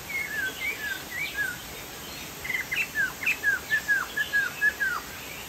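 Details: Chinese hwamei in song, giving slurred whistles that settle into a rhythmic series of roughly a dozen falling notes, about three per second, with background hiss.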